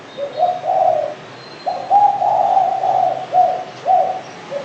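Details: Low, throaty cooing of a spotted dove: a short opening phrase, a pause, then a long string of smooth, slightly wavering coos ending in a brief final note.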